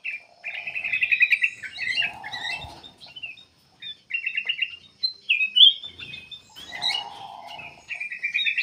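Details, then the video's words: Persistent black-capped bulbul song for luring birds into singing: trilled, rattling phrases alternate with low, droning whistles, broken by a short silence and a sharp, high note. "KUTILANG EMAS \ CUCAK EMAS GACOR FULL GACOR sangat bagus buat pancingan \ pikat"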